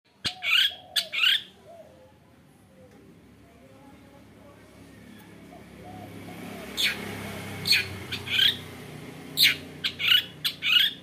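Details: Female long-tailed shrike, used as a lure to stimulate other shrikes, giving harsh, scratchy squawks: two early, a pause, then about nine more in quick pairs and triplets, with faint low whistles and a steady background hiss.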